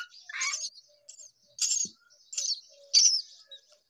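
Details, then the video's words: Hungry myna chick begging with raspy, hissing high calls repeated roughly every second, separated by faint thin squeaks. "A baby Myna bird was hungry"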